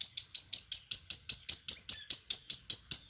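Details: Long-tailed shrike from Banyuwangi giving an evenly spaced string of high, sharp chip notes, about two or three per second. The background is quiet.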